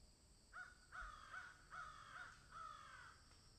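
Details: Crow that found something on a tree, cawing: six harsh caws in a steady series, about two or three a second, over quiet outdoor hiss.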